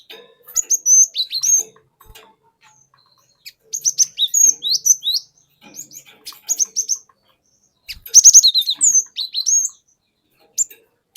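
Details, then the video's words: Forest-caught cinereous tit singing a long rolling lure song, 'wucit wuit': bursts of sharp, high, downslurred whistled chirps in quick runs, separated by short pauses. "Pancingan Burung Glatik Batu Bahan Hutan Auto Ngeplong Wucit Wuit Ngerol Panjang"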